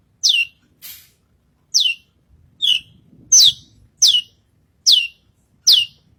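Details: Lark calling energetically while on stage at a bird contest, repeating loud, clean descending whistled chirps about every 0.7 seconds, eight in a row, with a quiet backdrop.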